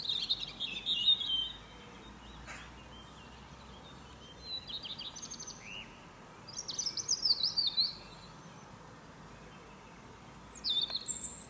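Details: Robin's morning trills from a fir tree: separate high phrases of warbles, thin whistles and rapid trills, spaced by several seconds of quiet background.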